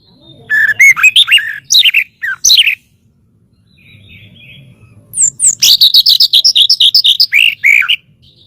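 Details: Master recording of a white-rumped shama, meant to train songbirds: a few rich warbled phrases, a quiet gap, then a fast run of sharp, evenly repeated chips and upward-sweeping whistles.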